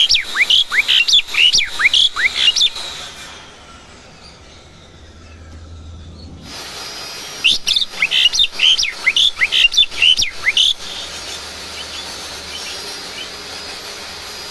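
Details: Domestic Asian pied starling kept at home, learning to sing: fast series of loud, slurred whistled notes sweeping up and down, about two per second, then a pause and another similar burst.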